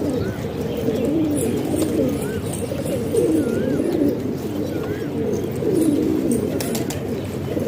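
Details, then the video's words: Pet pigeons kept in a house in Pakistan, low rolling coos repeated about every two seconds from several birds, with faint short whistled upslurred notes above them. "Pigeon Sound"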